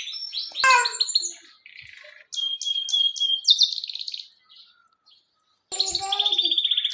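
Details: Full-singing canary delivering bursts of high twittering, a run of four rising whistled notes, a rapid rattling trill, brief pauses, then a loud fast rolling trill at the end.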